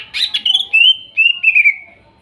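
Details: Greater green leafbird song for therapy of a bird that has stopped singing, using forest material: a short rich burst followed by long clear whistled slurs gently falling in pitch.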